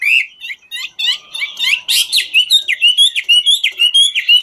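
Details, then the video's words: Ngũ trường Chinese hwamei singing as it dances: varied loud warbles open the phrase, then a fast series of sharp rising whistles repeated about twice per second, clear and ringing. "Họa mi ngũ trường hót múa cực chất"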